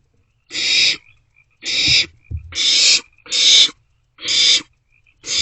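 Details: Barn owlets in an owl box at about 2 am on 27 March 2024, passing a vole between them; loud, harsh screeching hisses repeated roughly once a second, six in all, with brief scuffling noises between two of them.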